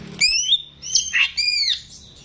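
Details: Greater green leafbird in a cage, kept as a model for young birds: three short harsh squawking notes with a nasal, sliding quality in quick succession.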